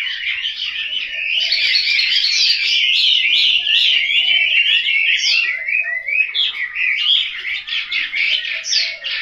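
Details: Hanoi house-kept Chinese hwamei giving a vigorous, rambling song of tangled whistles, ending in rapid repeated choppy notes.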